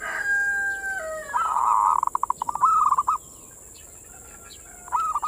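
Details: Zebra dove (perkutut) in manggung song, used as a lure to arouse the breeding drive of local perkutut. Two drawn tonal notes lead into a dense burst and rapid pulses, then quick rolling coo phrases over a constant hiss.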